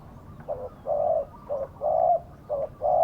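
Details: Decoy spotted dove calling in karom style to draw wild doves to a trap. Its soft hollow coos alternate short and drawn-out notes, roughly one per second, steady and mellow.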